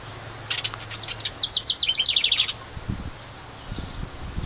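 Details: House wren near its nest in a decorative ceramic birdhouse by a cabin in summer: a bubbly, rapid trill of high chattering notes, lasting about a second, with faint earlier chips and soft rustling afterward.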